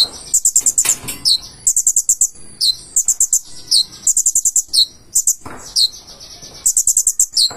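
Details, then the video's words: Purple-throated sunbird in a sustained high-pitched song: repeated clusters of fast ticking notes alternating with short downslurred chips, phrases roughly every second for over seven seconds. "KONIN GACOR FULL ISIAN."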